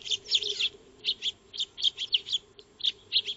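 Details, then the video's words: Eurasian tree sparrows, known locally as maya birds, feeding in a backyard before a solar trail camera; a quick run of clipped, high chirps repeating every quarter to half second, with a low electrical hum underneath. "Eurasian Tree Sparrow (Maya Birds) Feeding"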